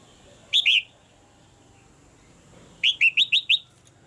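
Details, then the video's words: Female red-whiskered bulbul in a cage, calling to spur a male's singing. A slurred double chirp is followed, after a pause, by a fast string of five clipped, bright notes. "นกหัวจุก birds - เสียงนกตัวเมียในกรง กระตุ้นให้นกตัวผู้ร้องหนักขึ้น"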